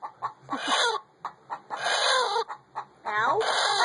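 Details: Hen vocalizing as she lays an egg, a few clipped clucks spaced irregularly, then drawn-out rasping cries, with a final loud squawk rising sharply at its start.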